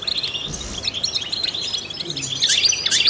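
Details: Trained European goldfinch song meant to encourage other songbirds: busy high-pitched chattering chirps in a steady, slightly muffled flow, growing brighter and louder toward the end.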